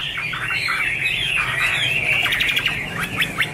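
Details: Chinese hwamei singing in a harsher, squawky run of slurred whistles and clipped notes over a steady low hum, the phrases tumbling together without pause.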